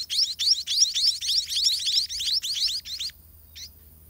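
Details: Hungry young white-rumped munias in their garden nest, fed by both parents, give rapid overlapping high-pitched squeaky chirps in a steady burst for about three seconds, then fall silent except for one last chirp.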